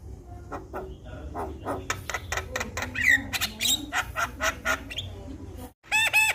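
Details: Javan myna full-content song for getting a mute myna to sing: a run of harsh, buzzy, evenly spaced notes with a few whistled slurs, a brief silence, then a loud, nasal, honking call.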